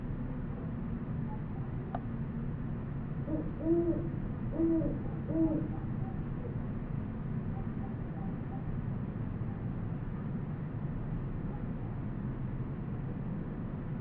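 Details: A great horned owl in New Mexico, in a nature field recording, gives a short series of about four deep, soft hoots midway through, over a steady low rumble of distant traffic or wind.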